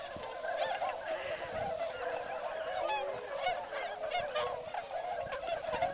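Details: Wintering swans gathered in great numbers at Motono, Inzai, Chiba, Japan, with northern pintails nearby; layered trumpeting honks overlap constantly, some notes briefly upswept, over a softer background murmur.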